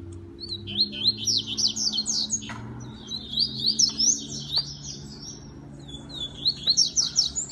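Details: Captive-bred double-collared seedeater, a fast tournament-style singer, delivering rapid high buzzy trills in three bursts, each a quick run of sharp rising-falling notes, with brief pauses between phrases.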